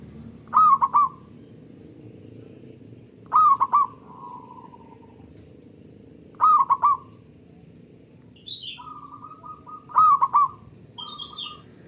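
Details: Local zebra dove, kept as a lure to prompt other doves to sing, with a loud, long voice: short bursts of stacked, trilled cooing notes about every three seconds, between softer rolling trills, and a higher chirping bird in the background.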